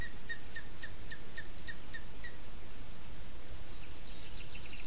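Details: Booted eagle (Hieraaetus pennatus) at a webcam-monitored nest in Sierra de Guadarrama National Park, Spain, with chick being presented to the male, giving thin, high chirping notes in a quick series, then fainter high notes after a pause, over a low rumble.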